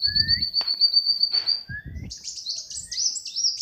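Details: Tame brown-throated sunbird raised from young, singing actively: a long, thin, high trill held for about a second and a half, then rapid high twittering notes sliding up and down, with soft low thumps early on.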